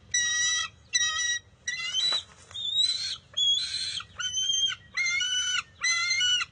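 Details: Bald eagle eaglet at its nest on June 23, 2021, stealing back a fish taken by its mother; high squealing calls roughly once per second, a few sliding upward and turning shrill, with a short thump of movement.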